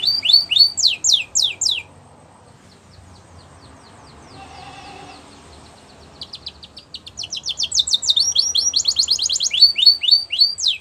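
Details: Wild canary song in two bursts of rapid repeated chirps separated by several seconds of near quiet, the second burst a long trilled tour.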